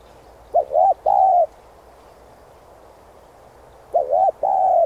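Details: Spotted dove urging call for decoy-bird training. Two phrases roughly three and a half seconds apart, each a rapid two-part coo followed by a longer flat, mellow coo, with steady low background hiss.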